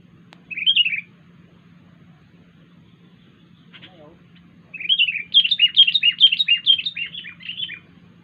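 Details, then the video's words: Wild sooty-headed bulbul giving an unusual call: a short bubbly whistled phrase, a pause, then a long run of quick, slurred, rising-and-falling notes, about two per second, over faint low hum. "kutilang liar suara Aneh"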